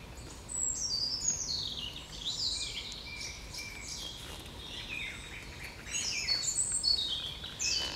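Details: A nightingale sings in the evening, recorded 9 June 2020; bright high whistles, descending slurred notes and quick trilled phrases follow one another almost without pause, rising in loudness toward the end, over faint low background noise.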